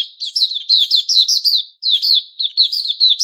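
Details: White-crowned shama (Puteh Raja), a caged bird in new-feather season on 6 September 2021, giving quick, slurred high notes in a fluent chattering run, one short pause, then more.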